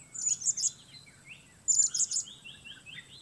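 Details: Blue-crowned hanging parrot, Sook strain, singing solo against the weather in a luring setup: two quick clusters of shrill, very high squeaks, with softer lower slurred chirps from other birds in between.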